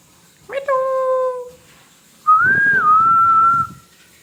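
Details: Pet parrot whistling: a steady whistle held for about a second, then a bright, slightly wavering whistle with a dip partway through, with soft low rustling underneath.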